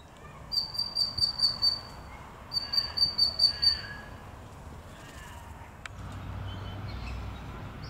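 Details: Eastern spinebill recorded 6 September 2021 in Maranoa Gardens, Melbourne, Victoria, Australia, giving two quick bursts of high staccato piping, each about six rapid notes, followed by a single sharp click and low outdoor rumble.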